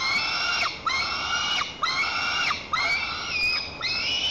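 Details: Young white-tailed eagle screaming in the nest at Lower Kama National Park, Tatarstan, on 21 July 2023, defending it against its mother: five loud, strained, harmonic calls of nearly a second each, every one ending in a sharp downward slide.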